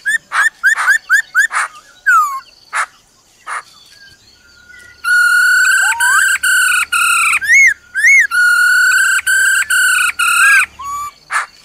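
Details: Female laughingthrush uttering "ro ro" to stimulate a male. A rapid run of short slurred notes leads into a long sequence of loud, ringing harmonic notes repeated about twice a second, with some arched, rising-falling whistles.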